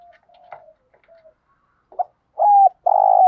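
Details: Spotted dove in thổ đồng voice, thúc gù cooing for stimulating training birds: faint soft murmurs and a brief note, then a clean level coo and a long buzzy, burry coo that drops at its end.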